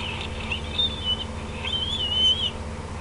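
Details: Bald eagle parent and juveniles at the Decorah nest on a June evening, 8:48 PM; a thin high whistled call wavers twice over a steady low hum.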